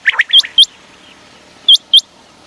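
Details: Common quail calling at night: after a few harsh chirps, two pairs of sharp, upward-hooked whistled notes, the second pair about a second after the first, over a quiet background.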